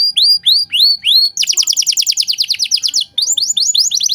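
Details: Vocal canary singing ornate 'cengkok mewah' phrases used to tutor young songbirds: several rising-then-falling whistled sweeps, then a fast buzzy trill of repeated notes, ending in quick looping sweeps.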